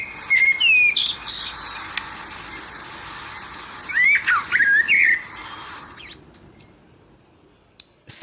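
A blackbird sings short clear whistled phrases that slide up and down, mixed with higher squeaky twitters, in bursts over several seconds before falling quiet.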